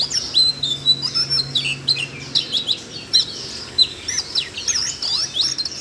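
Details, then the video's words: Song of a Siberian rubythroat set off by voice-training audio for a young bird; steady stream of high chattering notes, whistled slurs and sharp ticks in quick succession. "làm chú oanh cổ đỏ nổi hứng hót chuyện"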